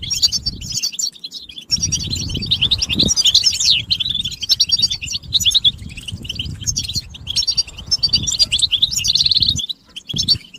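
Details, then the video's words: Many European goldfinches twittering together, stimulation chirping said to bring males out of silence. Bright, busy high chirps and short trills flow nonstop alongside frequent low rumbling or wing-flap noise. "بتبتة الحسون تحفيز الحسون على التغريد والهيجان علاج صمت الحسون goldfinch stimulation"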